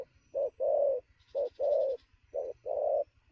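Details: Spotted dove newly taken from the wild, cooing quickly at noon: paired notes, a short clipped coo then a longer rounded one, repeated three times, over a soft high buzz and low hum.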